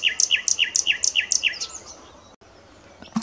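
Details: A common nightingale repeats a strong, regular series of paired notes, a lower slurred one and a high clipped one, about seven times, then falls silent before a brief rough note at the end.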